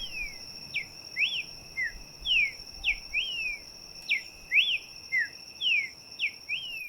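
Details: Streaked saltator (Saltator striatipectus) song in Colombia's Andean dry forests: short, clear whistled slurs, some rising and some falling, about two each second, over a steady high insect drone.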